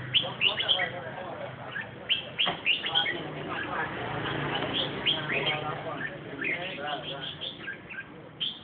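Red-whiskered bulbul singing a busy run of bright, bubbly chirps and short whistled phrases, several notes a second, over a low background hum and faint voices.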